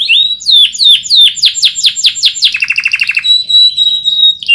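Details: Canary master song for teaching other birds: a series of loud downward-swept chirps, a quick lower rattle, then a sustained steady high whistle, all clear and close.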